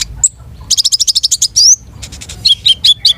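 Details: A long-tailed shrike gives a fast, even rattle of about a dozen high notes, then a rising whistle, a buzzy burst, and several dropping two-part chirps.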